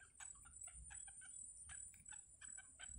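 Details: Yellow bittern nestlings being fed by their mother at a wild nest give quick bursts of dry, clucking chatter in short irregular groups, with a steady high whine in the background.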